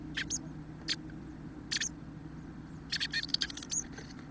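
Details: At a nest of five-day-old hatchlings on 28 March 2018 around 08:19, where the male Chestnut-backed Chickadee brings food for the young, brief high scratchy chips sound, single at first, then a quick cluster, over a steady low hum.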